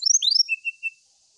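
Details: Brown-chested jungle flycatcher singing as if seeking a rival: a quick run of high, sweeping whistled slurs falling in pitch, then three short lower whistled notes, over a steady high hiss.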